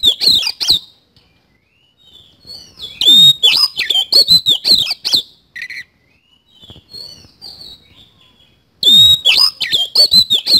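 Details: Oriental magpie-robin in full song with isian kasan fill: three loud bursts of varied whistled notes, sweeping slurs and rasping chips, separated by quieter soft warbling and short silences.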